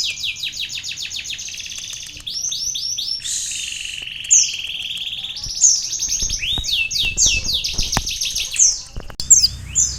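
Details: Sunbird delivering a long, varied medley that mixes canary phrases into its song: rapid trills, buzzy stretches and sharp high chips, with faint low background noise later.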